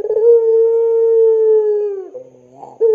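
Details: Long-cooing puter pelung dove used to provoke young doves into calling. A single very long, even, low coo lasting about two seconds, tailing off into a quiet wavering murmur before a new note starts.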